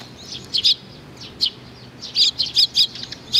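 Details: Sparrows arriving to be fed, recorded 15 May 2019: short, bright chirps come in loose clusters, with a sparse opening followed by a quicker run of five or six sharp notes near the end.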